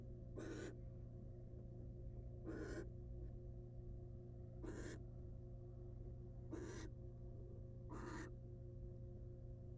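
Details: Barn owl hen, wild, back on her eggs in a camera nest box after eating a mouse; five rough hissing snores at near-even two-second intervals against a droning low background hum.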